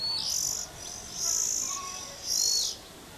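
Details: Oriental magpie-robins at a nest, feeding their young, filmed from above: three strong rasping, high-pitched hissing bursts, each about half a second long, separated by short quieter gaps, over faint background hum.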